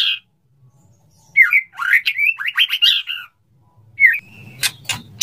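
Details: Male white-rumped shama courting a female for mating: harsh slurred and buzzy warbled phrases, a brief pause, then a single whistle followed by rattling noise bursts and a low rumble.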